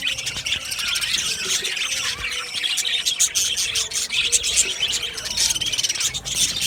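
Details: A colony of budgerigars kept in an aviary, heard as a constant high warbling babble of many birds with bright squeaky notes and quick chirps layered over each other.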